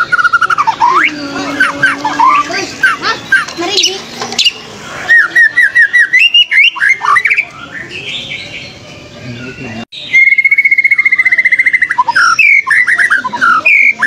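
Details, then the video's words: A fighter white-rumped shama challenges a rival with rich, varied whistles, chattering runs and sweeping slides. There is a noisy stretch in the middle, and the song ends in a rapid, steady trill followed by more whistled flourishes. "MURAI BATU FIGHTER CARI LAWAN"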